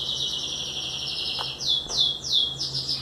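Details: Belgian canary nestlings, 18 days old, hand-fed baby food by beak; continuous high buzzy begging with a string of three or four descending pulsed notes about every third of a second.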